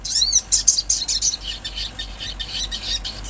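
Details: Olive-backed sunbird, kept as a songbird, giving a fast run of high, thin chirps and sharp trills, densest in the first second and a half, then softer rapid twittering continuing to the end.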